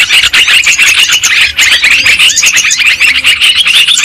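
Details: Many yellow-vented bulbuls heard on a trapping lure, a continuous, lively jumble of shrill chirps and bubbly whistled notes overlapping one another, evenly loud throughout.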